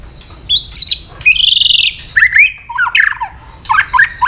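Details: White-rumped shama singing to provoke aggression: clear whistled phrases around mid-high pitch, a long buzzy note, then falling and rising slurred notes in quick varied bursts.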